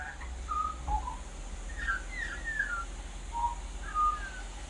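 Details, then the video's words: A friendly Australian magpie visiting a balcony sings a warbling, mimicking song: a loose run of clear, fluty whistles, some slurred up or down, spaced irregularly over a few seconds, over a steady low hum. "Australian Magpie song and mimicry"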